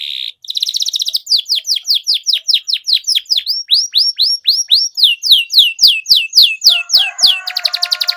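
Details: Canary singing loudly, used to prompt silent canaries into song again: a fast run of bright, whistled, downslurred notes repeated several times per second, then buzzy trills and a steady high tone at the end.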